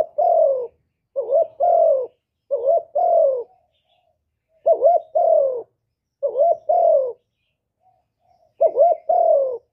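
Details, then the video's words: Full hạp bổi song of a spotted dove, calling, urging and cooing, recorded live with no background noise; around six low phrases, each a quick bouncing note followed by a longer gently falling coo, in irregular bursts. "Cu Gáy Giọng Hạp Bổi ĐỦ BÀI (GỌI +THÚC + GÙ)"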